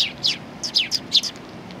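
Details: Sparrows coming to be fed at a Tenmangu shrine, recorded 1 October 2020; a quick series of short, sharp, high chirps, about six notes in under 1.5 seconds, over low background hum.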